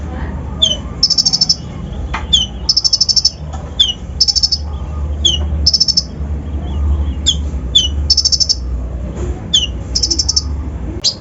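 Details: Kolibri ninja lure song to rouse other birds: spaced series of high, fast trills, each led by a thin falling note, with pauses between phrases and a steady low rumble behind.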